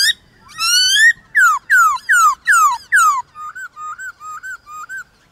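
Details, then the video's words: Morning singing contest between a White-cheeked laughingthrush and wild birds: a long, rising whistle, then five loud, downslurred, ringing notes about every half second, followed by softer, quick, looping whistles. "Khướu bạc má HÓT ĐẤU với Khướu ngoài thiên nhiên buổi sáng cực hay"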